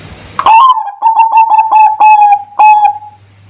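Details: Lure song of a zebra dove, sung to attract other doves: a slightly rising first note, then an uneven chain of clear, steady-pitched pulsing coos, a brief gap, and one drawn-out closing coo.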